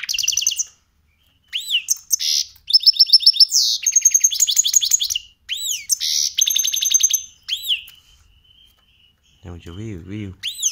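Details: Caged mixto, a goldfinch × canary hybrid, singing a song it learned young: chirps, rapid trills and upslurred whistles in bursts, with a man's voice heard near the end.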